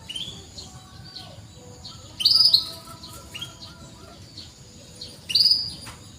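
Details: Frequently singing canary heard as a training prompt for reluctant singers: two loud, high, slightly rising chirp bursts about three seconds apart, with softer chirps between.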